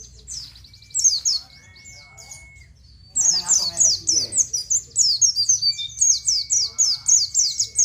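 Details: Oriental white-eye (pleci) giving its ngalas song, meant for training captive birds: a few high chirps, a brief gap with faint noise, then a sustained rapid series of sharp, downslurred high notes.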